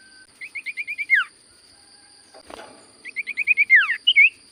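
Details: Common Iora singing: a steady series of six short, evenly spaced whistled notes ending in a falling slur, repeated after a pause with a noisy rustle. A final twisting whistle closes the phrase.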